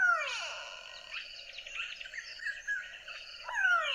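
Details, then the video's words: Grey Go-away-bird in Botswana giving loud, nasal, downslurred calls like 'gwaaay', said to sound like "go away", one at the start and another near the end, with rough, buzzy chatter between. "it's called the gray go away bird and let me play that call for you [Music] and"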